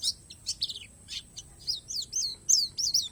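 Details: Borneo 'palas' Oriental white-eye in natural-fill song, a quick run of sharp, high twittering notes in uneven bursts, several per second, with a steady faint high hum behind.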